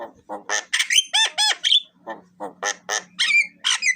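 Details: Song of a Javan myna used as a lure to set birds singing: varied harsh squawks, two down-curving whistled notes, then rhythmic raspy chatters and high squeals, a low hum in the background.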